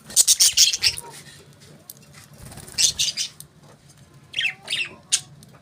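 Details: Budgerigars chirping in quick, bright bursts of high, scratchy notes, several clusters separated by brief pauses, with a low background hum throughout.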